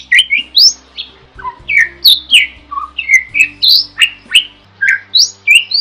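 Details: Vigorous starling song recorded for tutoring other birds; loud, choppy whistled and squawky notes in quick succession, many slurring downward, at about three to four per second.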